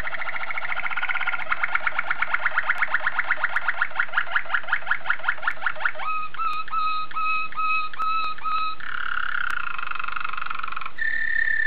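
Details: Waterslager canary, a Belgian singing breed: rapid rolling trill that quickens, then spaced liquid bubbling water-like notes, followed by a smooth sustained warbling tour and a clear whistled tone.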